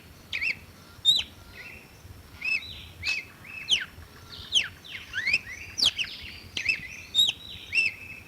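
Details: Red-cowled cardinal singing short phrases of loud, sharply sweeping whistled notes, repeated about every second, with faint low background rumble.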